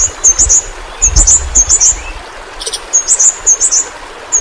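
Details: Yellow-rumped flowerpecker, a small fruit-eating bird endemic to Kalimantan, recorded as a training song for pet birds: very high, thin twittering notes in quick pairs and triplets, with short gaps and a faint low rumble beneath.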